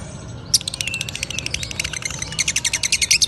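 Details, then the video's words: Lovebird ngekek chatter. After half a second of near quiet, bright high chirps start in a busy jumble and settle into a faster, evenly pulsed run near the end. "Love Bird Ngekek"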